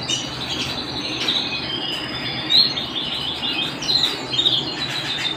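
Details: Canary singing at home with a sustained high trill running throughout, punctuated by a few quick chirped accents.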